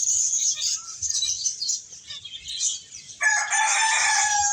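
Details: Finches playing and eating keep up quick, high twittering chirps, then a rooster breaks in near the end with a loud, strained crow.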